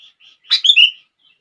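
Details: A single short, bright phrase from a sooty-headed bulbul, used to make other bulbuls sing: a burst note followed by two smooth sliding whistles, with faint soft notes before and after.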